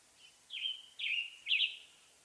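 Western tanager singing three hoarse, burry, robin-like phrases in quick succession, each a short slurred note, against a quiet background.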